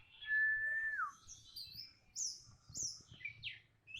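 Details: Orange-headed thrush answering a lure meant to make a quiet bird sing: a sustained level whistle sliding downward, then a run of quick high slurred whistles, with faint low background rumble.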